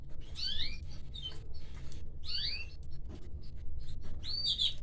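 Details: Canary chicks fed by their mother give four bursts of piercing, rising and falling squeaks about a second apart, separated by short pauses with a constant low room hum.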